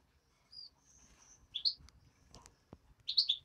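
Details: Hand-reared European greenfinch chick making scattered high thin chirps and a brief drawn-out whistle, with a loud double chirp burst near the end; faint room noise and soft clicks.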